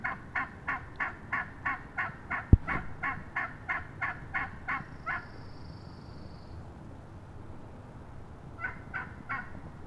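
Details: Wild turkey hen, recorded up close on March 22, 2017, yelping in a steady rhythm of about fourteen notes, with one sharp click partway through; after a quiet gap, three more yelps follow.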